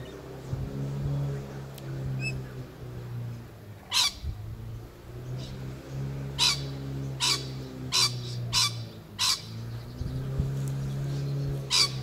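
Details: Rainbow lorikeet, 11 November 2014: short, shrill, rasping screeches come singly and in irregular clusters, about eight calls over twelve seconds, with a constant low droning hum underneath.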